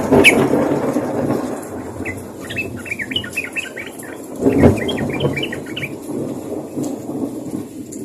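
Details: A sooty-headed bulbul calls to its companions with two rapid, bubbling runs of jerky, chattering notes, partly masked by loud low rumbling noise, including a strong thump near the middle.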